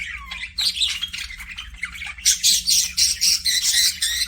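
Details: Pet parakeets, budgerigars kept in an aviary, warble with short rising whistles that give way to loud, rapid, scratchy squawking chatter in quick pulses; a faint hum runs beneath.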